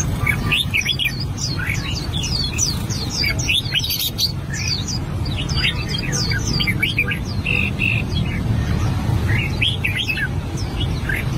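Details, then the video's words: Albino red-whiskered bulbul practising its song: long stretches of fast, jumbled whistled notes rising and falling, sharp clicks, a brief buzzy note later, then more chirpy phrases, low hum throughout. "Chim chào mào bạch tạng hót luyện giọng"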